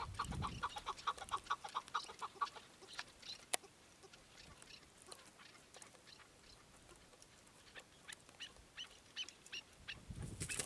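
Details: Chukar partridge calling: a fast run of about eight short, clipped notes evenly repeated over the first two and a half seconds, then only scattered faint clicks and a hissing background.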